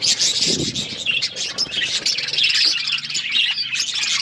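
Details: Budgerigars recorded February 18, 2024, giving continuous chirruping chatter, a mix of scratchy squawks and twittering high notes from many birds at once, with a brief low murmur near the start.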